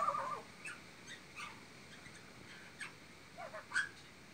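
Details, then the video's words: Magpie mimicking horse and parrot sounds: a harsh, nasal burst, then scattered short squawks and chirps at irregular intervals, ending in a quick rising cluster, over a faint steady hiss. "Magpie mimicking horse and parrot sounds"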